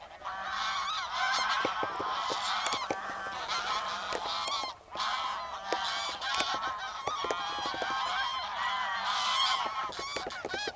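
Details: An estimated 500+ wild geese and as many lapwings take flight together from a field at the WWF Bentivoglio oasis near Bologna on the afternoon of 21 November 2009, giving continuous overlapping nasal honks mixed with thinner lapwing calls.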